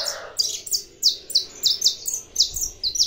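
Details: Captive saffron finch sings a lively, evenly paced series of sharp, high, down-slurred chirps, roughly three per second, with a soft lower murmur at the very start.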